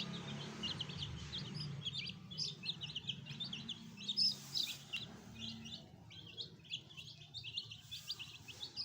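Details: Several young chicks kept as pets, a fresh new addition, peeping in rapid high-pitched chirps that overlap constantly, with a low steady hum underneath.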